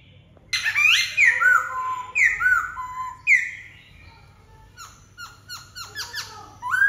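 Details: Black-throated laughingthrush giving a rich song of loud upslurred and looping whistles, several in succession, followed by a quicker series of sharp descending notes and a closing rising whistle; faint low hum beneath.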